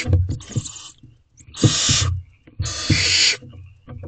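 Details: Nestling barn owls in a nest box after dark on 5/8/23, feeding in turns on a rabbit: three long, noisy hissing screeches about a second apart, mixed with knocks and scrabbling of movement in the box.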